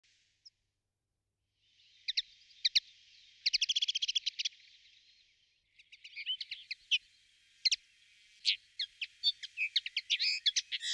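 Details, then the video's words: A kept common linnet sings a lively twittering song of quick trills and rattles mixed with sharp chirps, high and fast, in short bursts that grow busier toward the end. "Певчие птицы. Коноплянка."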